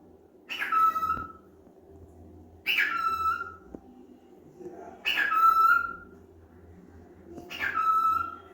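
A cockatiel gives four loud, harsh calls ending in a clear whistled note, spaced about two seconds apart.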